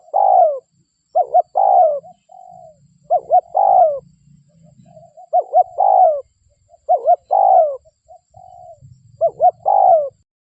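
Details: Local spotted dove calling as a lure for other doves, giving repeated phrases of two short notes and a long falling coo, with softer coos in the gaps and a low rumbling hum beneath.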